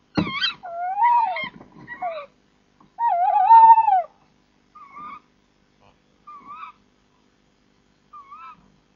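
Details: Tawny owls at a nest box at 03:26 on 10 April 2014, with the male bringing prey to the female and both quite vocal: two drawn-out, quavering mid-pitched calls, then three short, softer notes about every second and a half, fading away.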